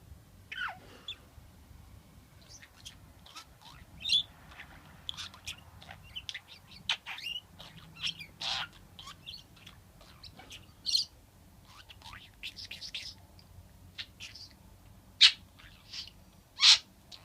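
A budgerigar chatters with quick, high chirps and squeaky notes in an uneven, scratchy stream.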